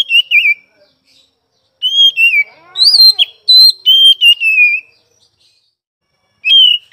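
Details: Oriental magpie-robin (kacer) song, recorded at some time across morning, afternoon and night: clear, sweet whistled phrases with wavering and sliding notes, delivered in short groups separated by silent gaps of a second or more.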